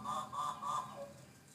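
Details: A Hooded Butcherbird in an aviary gives three harsh, nasal, honking notes in quick succession, about one every third of a second, then falls quiet.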